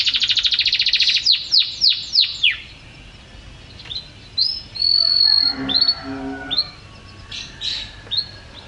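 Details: Canary singing: a run of rapid downward-sweeping notes opens, then scattered short whistles and a brief low warbled passage follow, with pauses between phrases.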